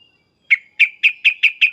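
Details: Sooty-headed bulbul giving loud agitated calls: after a faint thin whistle, a fast run of seven sharp, high chipping notes, about one every fifth of a second, over a quiet background.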